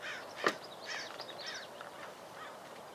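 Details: American avocet chick, filmed in 2011, giving a few short, thin, slightly nasal calls spaced about half a second apart, with one sharp click near the start and a soft outdoor hiss.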